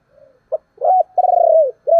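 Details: Decoy spotted dove cooing to lure wild doves: a soft faint note, a clipped note, a rising coo, then a long rapidly pulsing coo dropping in pitch, and the start of another arched coo.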